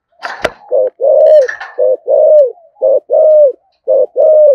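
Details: Deep 'giọng thổ' voice of a spotted dove in 'thúc gù' cooing: after a few sharp clicks, loud low coos repeat in pairs, a brief note followed by a longer slightly falling one.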